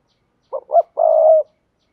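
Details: Spotted dove decoy cooing for loudspeaker luring of wild males; a soft double hoot followed by one prolonged, even, low coo, with no other sounds.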